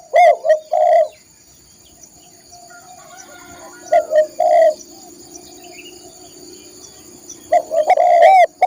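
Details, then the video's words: Spotted dove song, recorded to train caged songbirds. Short loud coo phrases come at the start, around four seconds and again near the end, separated by quiet gaps with faint background sounds. "masteran burung tekukur/derkuku"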